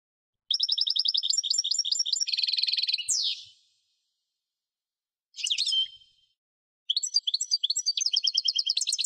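A European goldfinch sings bright, rapid tinkling twitters mixed with buzzy trills and a rising slur, in three bursts separated by short silences.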